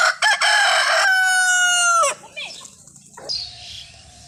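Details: Indian desi rooster giving one long loud crow, steady and rasping for about two seconds, ending in a falling note, followed by quieter clucks and faint background noise.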